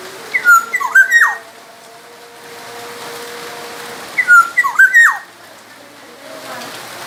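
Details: Black-naped oriole from Sumbawa, recorded as training material for songbirds: two fluted phrases of rising and falling whistles, each ending with a sharp downslurred note, about three seconds apart amid background hiss.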